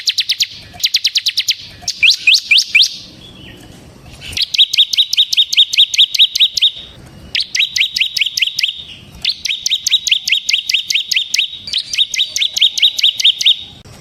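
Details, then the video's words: Bar-winged prinia (ciblek semi) in continuous 'ngebren' song, a tutor and lure recording: long, steady runs of fast, high, ticking notes repeated in several bursts, separated by brief pauses. "suara burung CIBLEK SEMI GACOR Ngebren"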